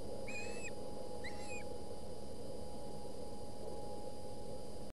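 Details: Osprey nest in Boulder County, 20 August 2017, during a long fight among young over a delivered fish: two slurred, rising whistled calls about a second apart, then only steady hum and low rumbling.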